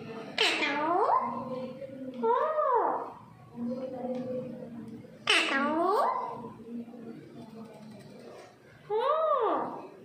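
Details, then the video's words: Household Indian parrots alternate sharp shrieks with arched, whistled, wavering calls, roughly four call bouts across ten seconds, over a quiet indoor background. "parrots ki pyar bhari baate"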